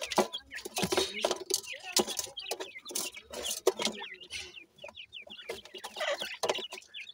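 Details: Young francolin chicks while feeding: rapid high peeps in short rising-falling runs, repeated many times, over clucking sounds and human voices.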